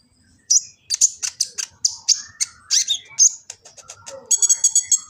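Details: Sunbird (kolibri ninja) song recorded by phone in Gresik, East Java, intended as a training master: high sharp chirps repeated briskly, ending in a dense buzzy high trill, with faint lower background sounds.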